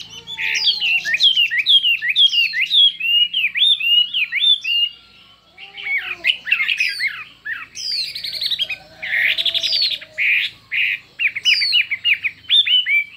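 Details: Singing-contest Chinese hwamei showing many voices: bursts of repeated downslurred whistles, brief pauses, then harsher buzzy notes and fast sweeping phrases, loud and fiery throughout.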